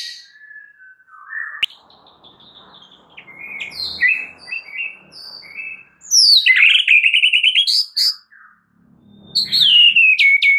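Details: White-rumped shama song played as a lure to make another shama sing its repertoire: thin sliding whistles and soft notes, then a loud fast run of rolling chirps, a pause and a high descending whistle.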